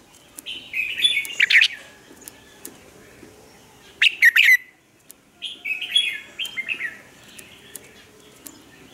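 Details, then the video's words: Red-whiskered bulbul kept caged as a lure singer in Vietnam to train wild-caught birds: three lively warbled phrases of slurred, bouncing notes with sharp accented peaks, separated by short pauses. "chào mào mồi luyện giọng hót hay,giúp chào mào hót căng lửa chào mào mồi"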